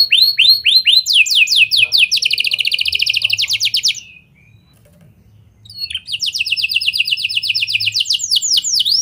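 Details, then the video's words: Energetic canary song in lovebird and prenjak style, meant to lure other canaries into long singing; rapid high buzzy trills of short repeated notes, a pause of nearly two seconds, then another long shimmering trill. "Kenari Gacor Cengkok Lovebird & Prenjak! Ampuh Buat Pancingan Kenari Lain Agar Gacor Panjang"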